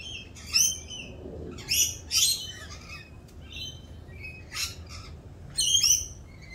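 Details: Rainbow lorikeets in mating season, more raucous than usual while doing their mating dance; shrill screeching and squawking bursts high in pitch, spaced irregularly, some with harmonic whistled tones.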